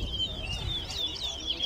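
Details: Towa towa singing during a song race at Lusignan Ground in Guyana, a brief fast warbled phrase of high, slurred notes over low rumbling background noise.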